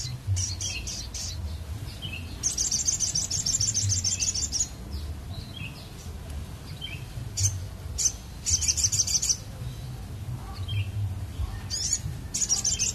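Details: Crested jay calling loudly, a lure recording for attracting birds: bursts of fast, harsh, high rattling notes lasting one to two seconds, repeated with short sharp chips between them, over faint low background hum.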